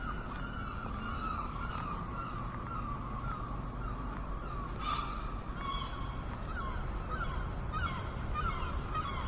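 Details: A crowd of seagulls calls continuously, with short yelps and wails overlapping throughout, above a heavy low-pitched rumble of wind or water.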